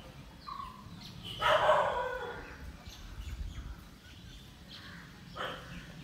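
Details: In a village in India, an Indian peafowl gives a loud, harsh, wailing cry lasting under a second, then a fainter second cry a few seconds later, over a low rumbling background.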